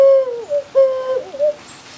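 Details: Mourning dove at a branch near a window, having come from the feeders in response to a person's call, gives two soft, low, hollow coos, each a steady drawn-out note ending in a brief wavering dip, as if chatting back.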